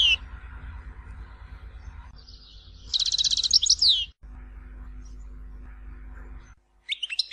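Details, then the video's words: European goldfinch, Algerian Tizi Ouzou song style: one short burst of high, rapid twittering notes in the middle, with a steady low hum throughout and a brief high phrase at the end. "تغريد حسون تيزي وزو (كامل المقامات)"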